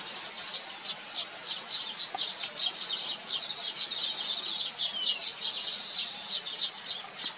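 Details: Several Baya weaver birds, filmed on a Nikon P1000 camera, give a steady stream of high, thin chirps and buzzy trilled phrases that overlap almost without pause.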